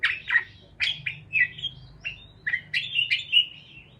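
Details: Short, separate parakeet chirps and squeaks come one after another. They build into a denser, twittering run toward the end over a soft low hum.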